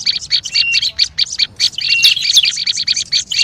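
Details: Noisy olive-backed tailorbird lure call. Rapid bursts of shrill, high chips run almost without a break, with one brief flat whistle threaded through the middle.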